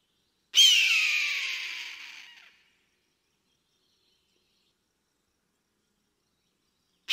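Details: A hunting eagle flying over the sky gives a single harsh, hoarse screech lasting about two seconds and fading away, followed by silence and the start of another scream.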